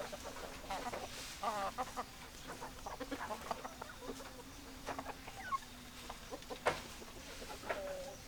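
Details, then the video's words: Hens and roosters together: a flock of chickens clucking in scattered bursts, some sharp squawks and low murmuring clucks, occasional louder notes standing out over constant farmyard hiss. "Chicken Sounds Noises Hens Clucking Roosters Crowing"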